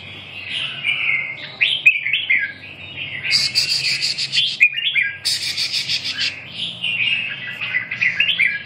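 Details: Red-whiskered bulbul song made of lively, warbling whistled phrases, some sharper buzzy notes mixed in, continuous chattering delivery with short gaps.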